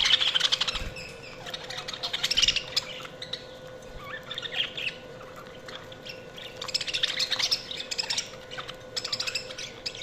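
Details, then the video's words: Several budgies chattering with sharp high squawks and fast chirps in bursts, quieter warbling between bursts, and a constant low hum underneath throughout. "Budgies Chirping sound"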